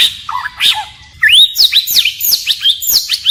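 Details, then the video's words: A white-rumped shama sings its varied forest-style song, switching phrases continually; a few soft warbled notes, a pause, then a lively series of high, sweeping whistles and chirps. "Chích chòe lửa hót giọng rừng hay đảo giọng liên tục"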